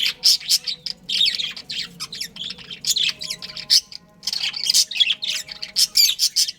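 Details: Budgerigar breeding pair chirping in choppy bursts of buzzy squeaks and warbles, separated by short silences, rhythm quickening toward the end.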